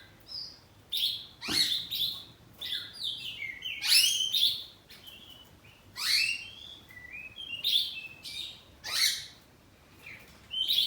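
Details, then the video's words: Oriental magpie-robin kept at home sings a rapid series of loud, harsh, sweeping notes mixed with whistles, repeated roughly every second, in the ngeplong saut-sautan style with answering phrases. "Kacer ngeplong saut2an || kacer poci rumahan || suara kacerpoci"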